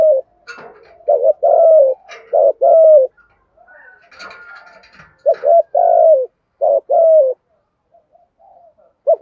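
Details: Spotted dove cooing in the thổ voice style, thúc gù, for training and luring doves: low hollow coo phrases with short lead notes and drawn endings, faint scattered chirps and rustles between.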